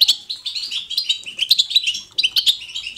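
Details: Pet European goldfinch pouring out a quick, tinkling twitter song, bright chirps following each other rapidly with one brief break before resuming.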